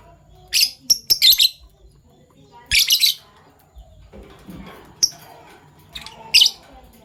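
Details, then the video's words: Morning chirping from Fischer's lovebirds of PB Violet and Euwing Gold Opaline colour: shrill, rasping chirp clusters spaced a second or two apart, with faint low murmuring between them. "Lovebird Chirping Sounds - PB Violet Fischer & Euwing Gold Opaline Fischer"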